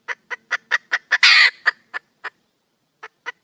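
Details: Calling for a mate, a wild junglefowl hen gives six quick clucks, a loud, grating squawk, a few slower clucks, a second of silence, then clucking resumes.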